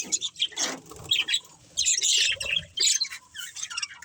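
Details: Budgerigars, a breeding pair, chirping: bursts of scratchy, squawky chatter and short high chirps, with brief pauses between phrases.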